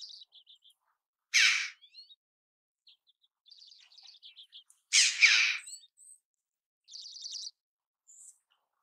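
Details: Red-billed chough giving two loud, harsh, rasping calls, each lasting about half a second. Softer chirps and trills from smaller birds are heard between them.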